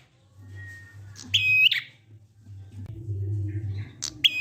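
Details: Prinia giving ngalun song to coax silent prinias into singing: a thin, faint whistle, then one strong, level, buzzy note with a sharp onset and ragged end, and the start of another near the close, with a low hum throughout.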